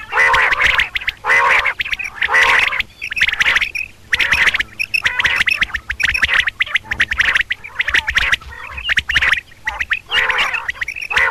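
Female common quail giving harsh, nasal squawking notes in short bursts, roughly once a second at an uneven pace, over faint crackling clicks.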